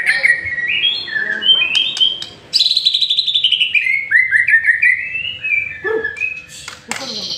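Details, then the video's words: Varied song of a white-rumped shama used to lure others into singing: bright stepped whistles, a long buzzy trill falling into warbled notes, and sharp clicks. "Murai Batu Masteran sekali Pancing Langsung GACOR"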